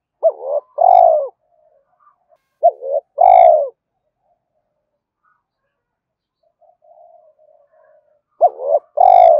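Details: Spotted dove calling to provoke and draw in wild doves, in an urging, calling style: three low two-part phrases, each a brief quavering note then a sustained mellow coo sinking at the end, with long pauses between phrases.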